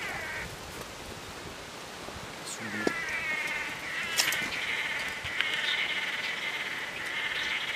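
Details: Swallow-tailed (blue) manakins at a lek on a branch at Ilha Grande, Angra dos Reis, Brazil, several males displaying before a female, give overlapping nasal, buzzy notes in a steady, quick chorus; brief human voices at the start.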